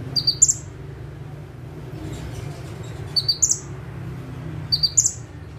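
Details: A bar-winged prinia perched at one spot gives three widely spaced song phrases. Each is a quick pair of high notes capped by a clear rising whistle, over a steady low hum.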